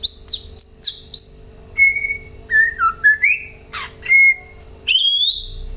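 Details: White-rumped shama singing so other birds reply: four high downslurred whistles, then a varied string of clear level and dipping whistled notes, ending in a rising sweep.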